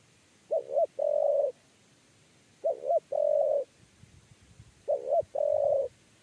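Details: Spotted dove, known locally as tekukur, giving the 'kuk 3' coo style while being chased and lured into a trap cage: a short wavering double note and then a long steady hollow coo, the phrase repeated about every two seconds, three times.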